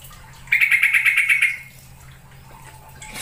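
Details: Lure call of a yellow-vented bulbul to coax singing: one burst of quick, evenly pulsed chattering notes lasting about a second, then quiet hum.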